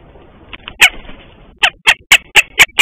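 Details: Northern goshawk calling outside its nest on a morning in March 2023, with the pair mating shortly after, caught by a nest camera: one loud sharp note, then six harsh, clipped kek-like notes about a quarter-second apart.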